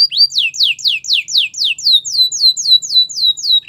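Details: Canary singing for training purposes: a clean, evenly paced series of loud downward-sweeping whistles, roughly four per second, with faint overtones above.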